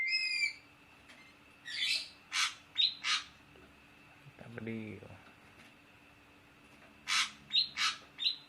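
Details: Ashy drongo with a rising whistled note, then harsh rasping and buzzy calls; a human voice speaks briefly midway before more grating notes with whistled tips.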